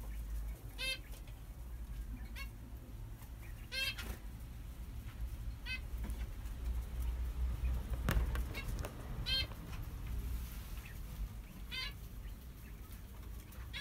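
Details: Zebra finch in an aviary shared with diamond doves and quails, with a newly hatched chick present; short nasal, buzzy calls with stacked overtones come irregularly every one to three seconds, over a steady low hum and some handling noise.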